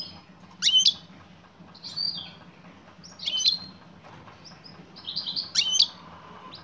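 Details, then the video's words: Chirping female European goldfinch calling for a male: bright, high tickling notes with sharp sweeping strokes, delivered in four spaced bursts, the last a longer run of twitters. "بتبتات أنثى مقنين أسمعها مقنينك وشاهد ماذا سيفعل حينما يسمع نداء الأنثى"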